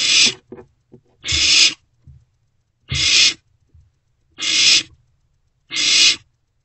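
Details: Night in a barn owl nest box, 16 March 2024: an owlet swallows a newly brought rodent, giving five raspy hissing screeches about a second or more apart, mixed with small clicks and low knocks.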